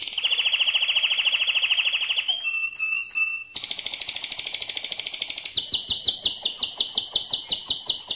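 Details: Loud song of a mosaic canary: a long rolling trill, a short passage of pure whistled notes, then another rapid trill shifting into slower, evenly spaced chopped notes.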